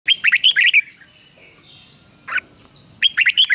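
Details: Red-whiskered bulbul used for song training, singing short bursts of bright warbled notes around the upper middle range, with faint downslurred whistles between phrases and a steady thin high tone in the background.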